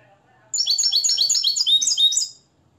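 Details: Hand-reared Moroccan European goldfinch schooled in limpio song: a bright, fast burst of high chirping notes, tightly repeated for about two seconds against a quiet background, then stopping cleanly.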